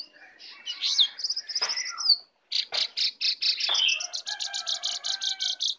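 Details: Wild Oriental magpie-robin arriving to attack, singing a varied high song of clear whistles, rapid trills and buzzy notes, with a short pause midway before a fast run of repeated chips.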